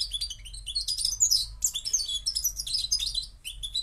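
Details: A Moroccan goldfinch delivers a loud, busy song of tinkling chirps, trills and slurred notes in quick succession, with a brief dip near the end. A low hum runs beneath.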